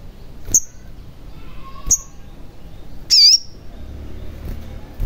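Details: Sogon sounds for luring a caged sogon into song: two sharp high chirps over a second apart, then a loud wavering whistled note, with low background noise.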